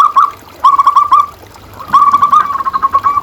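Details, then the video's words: Zebra dove cooing used as a master recording to raise the breeding urge of caged doves: two quick runs of soft trilled notes, the second longer and fading gradually. "Suara Perkutut Pikat"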